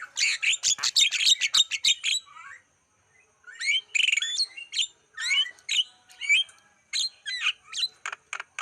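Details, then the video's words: Javan myna lure song for attracting wild birds: a fast volley of dry, clicking chips about three per second, a brief silence, then varied squeaky and whistled notes. "Masteran Suara pancingan burung jalak kebo"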